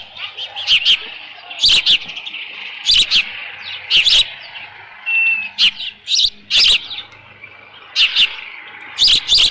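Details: Osprey at a ranch nest with leftover fish on 13 June 2018 in late morning; paired and clustered high chirps repeated roughly once a second at uneven intervals, with a low hum beneath.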